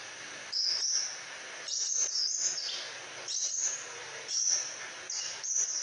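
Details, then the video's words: Crimson sunbird singing actively as a master bird for tutoring songbirds: short, very high whistled squeaks and thin twittering phrases, about six bursts in a row with brief gaps between them. "Burung "KOLIBRI SPAH RAJA" Gacorr !!!"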